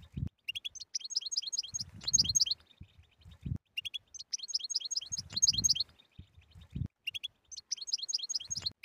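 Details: Batbata song of a European goldfinch, played to encourage silent goldfinches: sparkling twittered phrases recurring roughly every three seconds, interspersed with low bumping noises.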